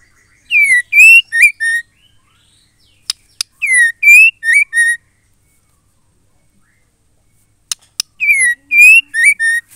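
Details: Female white-rumped shama singing to trigger male song: three bursts of four or five loud whistled notes, rising then falling, separated by sharp clicks and pauses of a few seconds.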